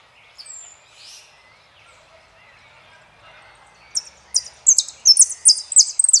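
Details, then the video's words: Saffron finch, El peregrino song type: faint scattered chirps at first, then loud high slurred phrases tumbling quickly one after another in the final two seconds. "JILGUERO ARGENTINO - El peregrino"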